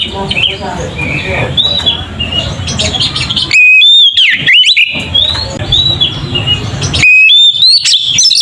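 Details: A lure of Oriental magpie-robin singing 'ngeplong', meant to provoke other magpie-robins. Softer distant whistles over background noise are cut by two bursts of loud, bright, sweeping whistles and sharp chirped notes.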